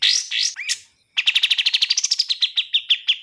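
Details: Bar-winged prinia: three quick sliding chirps, a brief gap, then a trill of about twenty sharp, evenly repeated notes that slows slightly toward the end.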